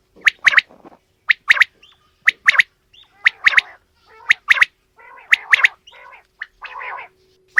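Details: Mixed calling of female and male quail, with crisp, high double and triple chirps repeated roughly once a second in an uneven rhythm, plus softer raspy notes between them.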